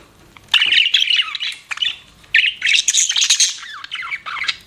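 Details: Budgerigar chirping: bursts of chattering warbles with whistled notes sliding up and down, the bird falling briefly silent between phrases.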